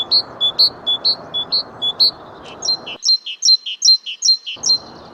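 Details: Great Tit song, a familiar European garden bird: ringing two-note whistled phrases repeated about twice a second, first over a soft hiss. Then a cleaner stretch of higher, sharper alternating notes, and the hiss returns at the end.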